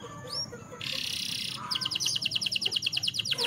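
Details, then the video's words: Canary singing in the morning: a sustained buzzy high note, then a fast trill of bright repeated whistled notes, about a dozen in two seconds, over a faint steady high whine. "The Sweet Sound of Canary Birds - Canary Song"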